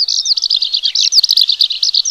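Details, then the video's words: Horsfield's bush lark in full song, a fast, unbroken twittering of high, varied notes, chirps and short trills tumbling over one another without pause; the recording is offered as a tutor song for other birds. "Burung Branjangan gacor"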